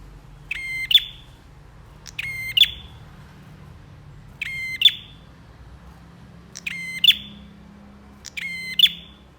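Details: Bar-winged prinia singing steadily in a songbird training recording: five phrases repeated every couple of seconds, each a rasping buzzy burst topped by a piercing high note trailing away, over low background rumble.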